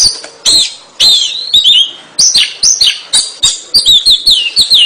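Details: Oriental magpie-robin pouring out loud song: repeated downslurred whistles and sharp chips, roughly two phrases per second, high and bright throughout.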